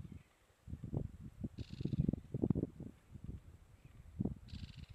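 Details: Bare-legged Owl in Cuba giving a low, rapid series of soft throbbing hoots in uneven bursts, with two brief hissy rustles in the background.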